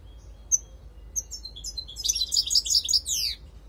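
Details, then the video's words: European goldfinch lure call: a few scattered high chirps, then a dense, rapid run of tinkling, twittering notes building in the second half. "Jilguero Reclamó chardonneret"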